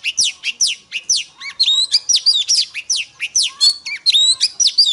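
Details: Female Oriental magpie-robin that prompts males to sing: steeply falling whistled notes repeated roughly twice a second, then a faster stretch of mixed twittering and looping whistles.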